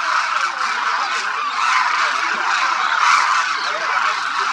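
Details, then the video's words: Huge flock of Demoiselle Cranes feeding at Khichan village, Jodhpur district, Rajasthan, India, during winter; a constant roar of many rolling, honking calls layered together, steady in loudness, with a brief sharp click near the end. "The sound of thousands of Demoiselle Cranes echoes across Khichan Village, Rajasthan"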